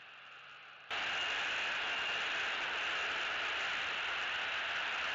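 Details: Near silence gives way after about one second to loud, even static hiss that continues to the end, with no animal voice.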